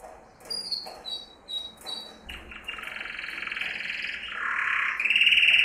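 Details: Male yellow canary's training song for other canaries: a few spaced high whistled notes, then increasingly loud rolling buzzy trills that shift pitch.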